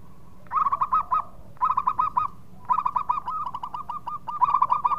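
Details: Loud local zebra dove song, played as a lure for birds in breeding mood: four bursts of rapid, rolling staccato coos, each a quick run of equal notes with short pauses between phrases, over a faint low hum.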